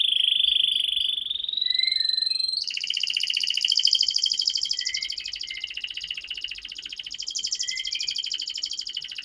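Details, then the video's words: Long continuous canary song used as a lure for young birds: opening held whistle with small side notes, then a prolonged dense rattling trill with occasional soft rising whistles, light background noise. "Pancingan Kenari Paud Agar Cepat Bunyi || MASTERAN Burung KENARI Gacor Panjang"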